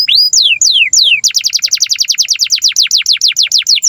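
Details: Long canary song used as a master for teaching young canaries and silent birds to sing: a few sweeping descending whistles, then a rapid even trill of steep down-slurred notes, about six per second.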